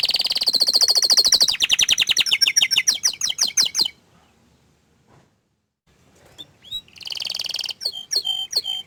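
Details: Canary singing rapid rattling trills that stop into a short silence, then resume with a buzzy trill and a few sharp whistled notes.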